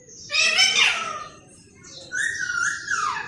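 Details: Green parrot mimicking human talk: one hoarse, speech-like phrase, then a pause, then a drawn-out, whistled, tonal note that slides downward at the end.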